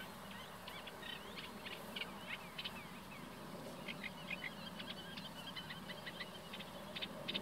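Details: Common reed warbler singing very close by in reeds beside the Bijleveld, a medieval drainage canal north of Kockengen, Utrecht province: a steady chatter of short, scratchy repeated notes over soft walking footsteps.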